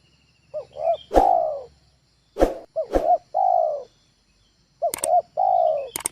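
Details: Spotted dove kept as a training bird, its call used to lure other doves at home; repeated phrases of two short hooting notes then a long drawn, slightly falling coo, with loud clicks between phrases.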